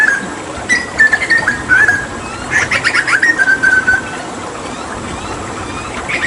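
Hooded butcherbird singing: clear mid-pitched whistled notes, then a burst of rapid chattering phrases. Only faint background noise.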